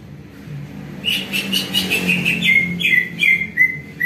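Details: Greater green leafbird song played to make other birds respond. After a soft start come repeated whistled chirps, at first buzzy and close together, then clearer falling whistles spaced roughly every half second.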